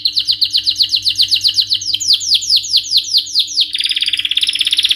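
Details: Excited male canary repeating quick downward-slurred whistled notes in a steady run, then breaking into a rapid buzzy trill for the final second.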